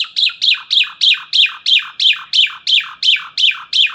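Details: Morning starling in lively song, repeating one sharp descending whistled note about three times per second in a steady, even series.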